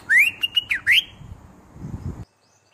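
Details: Bulbul with a quick phrase of loud whistled notes, rising and falling in turn, delivered in about one second; a soft rustle follows before the sound cuts off.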